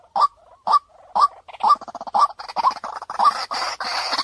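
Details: Clear lure call of a white-breasted waterhen, a string of short hollow notes with a quick upturned ending, steady at about two a second, growing into a busier, chattering sequence toward the end.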